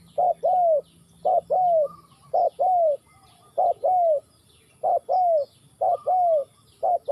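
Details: Mellow cooing of a Spotted dove from Ninh Thuận, Vietnam, short note leading into a longer slurred coo, the pair repeated roughly every second with a slight gap midway.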